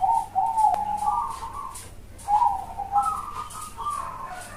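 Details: Bangkok-type zebra dove with a big, hollow voice, recorded for training other doves: soft mid-pitched cooing phrases that step slightly upward, with a short pause between two phrases.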